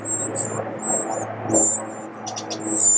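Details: Eurasian wrens at their large nest under a pavilion; drawn-out, very high whistled squeaks alternate with brief rough bursts, over a constant low humming background noise.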